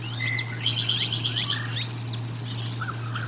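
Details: At the Decorah North bald eagle nest during a feeding, 04 01 2022: rapid, high chittering notes in a quick stuttered series, then looping whistled slurs, with a constant low hum from the nest camera.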